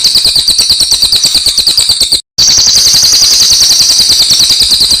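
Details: Cililin in full song, recorded for training other songbirds: an unbroken, high, sizzling trill with rapid regular pulses, cut by a short silent gap near the middle, then continuing just as strongly.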